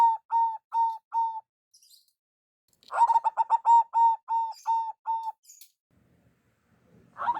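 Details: Local zebra dove lure call: a few trailing long coos, a pause, then a full phrase of quick clipped notes easing into slower held notes, ending with faint rustling.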